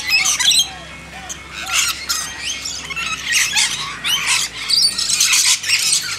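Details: Hand-fed lorikeets in a backyard give loud, rasping shrieks and squeaky chatter in uneven clusters, with brief quieter gaps between busy bursts of calling.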